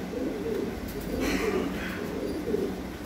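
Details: Fancy pigeons, domestic breeding pairs kept on a pigeon farm, giving low, soft cooing phrases, several rolling coos in a few seconds over steady indoor hum and a brief rustle.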